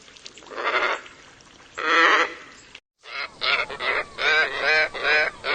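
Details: Scarlet ibis making drawn-out, harsh grating calls, then a quick series of about seven nasal honks in irregular rhythm.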